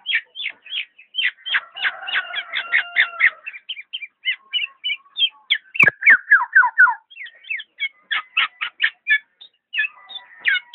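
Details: Black-naped oriole in a long, rapid chatter of high, varied notes, with a sharp click midway, followed by quick descending slurs and more scattered chips.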